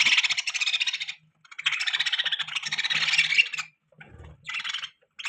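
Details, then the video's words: Pet budgerigar chirping in dense, scratchy warbled bursts, broken by brief pauses, with a faint low murmur underneath. "Budgie Chirping Sound | Budgies Beautiful Voice"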